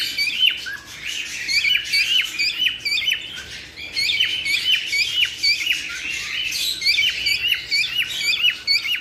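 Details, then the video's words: Cockatiel chorus meant to stimulate mating, with many quick, bright chirps and slurred whistled notes repeated roughly twice a second in an irregular, overlapping stream. "تحفيز طيور الكوكتيل على التزاوج"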